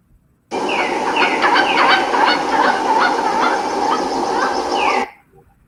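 A Pileated Woodpecker gives a loud, ringing series of quick, slightly falling notes, about two or three per second, over a steady background hiss.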